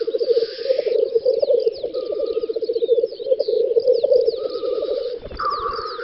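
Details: Black grouse lekking in an open spring field in western Russia, 9-10 May 2019; continuous low bubbling chorus with a hissing burst at the start, thin tonal notes midway and a brief thump near the end.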